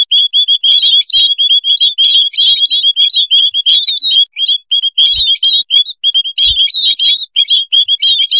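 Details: White-headed munias calling as a noisy flock, used as a lure: dense, overlapping high chirps and short sliding tweets pour out almost without pause, with occasional brief gaps and faint soft thumps.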